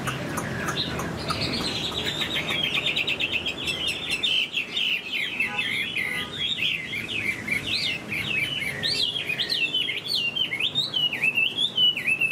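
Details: Moulting caged Chinese hwamei, a large bird singing high, delivers a long sustained song: rapid, looping whistled notes sweeping up and down without break for many seconds, preceded by low rustling and handling noise.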